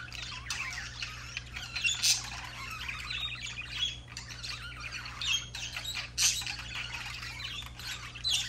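Budgerigars warble in a continuous chattering stream of high, scratchy chirps and squawks.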